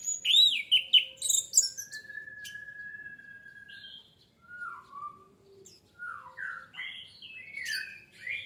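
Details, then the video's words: Lure recording of orange-headed thrush singing: quick high chirps at the start, a long steady whistled note, then separate slurred descending and rising whistles with short silences between phrases. "PANCINGAN ANIS MERAH MEMICU CEPAT BUNYI DAN GACOR!"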